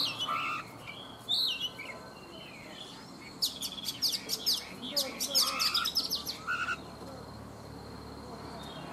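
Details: Morning song of a caged Oriental magpie-robin, caught wild as an adult and held three seasons: a few scattered high notes, then a fast run of sharp chips and falling whistles, with a faint low voice and hum beneath.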